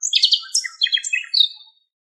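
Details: Common nightingale singing in Greek countryside, recorded from a long distance: a rapid, varied phrase of high chirps, buzzy trills and sharp whistled notes that rises and falls, ending in a clear upward whistle before silence.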